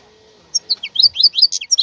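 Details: Brief burst of bright twittering from a wild European goldfinch after a quiet start with a faint steady hum.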